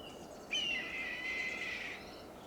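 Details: Red-tailed hawk on a high perch in Del Monte Forest, California, after eating a large fox squirrel, gives a single hoarse, drawn-out scream about a second and a half long, slurring slightly downward, over faint outdoor hiss.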